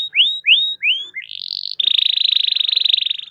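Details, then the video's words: Canary song meant to prompt others to sing, opening with three swelling upward whistles, then a long, even, buzzy rolling trill. "Kenari Gacor Roll Panjang || Pancingan Kenari agar cepat bunyi"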